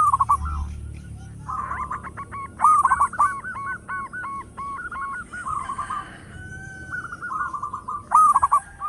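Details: Local zebra dove singing loudly as a lure: stuttering bursts of rolling coos, and a long run of evenly spaced looping notes layered over them, suggesting a second dove answering.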